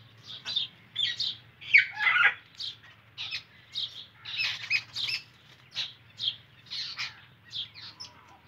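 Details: Indian ringneck parakeet calling with a string of short, shrill chirps and squeaks spaced irregularly over several seconds, one harsher burst near the start.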